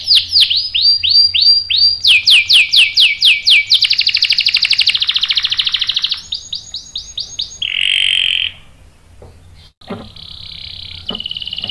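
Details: Canary singing eagerly on a lure track aimed at provoking rivals into rolls: rapid repeated downward-sweeping notes, a dense buzzy roll, more swooping phrases, a harsh burst, then quieter thin trills.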